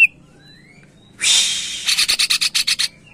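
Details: Greater green leafbird, kept as a cage bird, in a song used to stir other birds into singing: a faint rising whistle, then a long harsh hissing rasp breaking into about eight rapid scratchy pulses.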